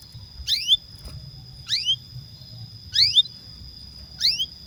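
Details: Caged canary, a long lure song to prompt pet canaries to sing, giving clear high downward-sweeping whistles about every 1.2 seconds over a steady high tone, with faint low rumble underneath.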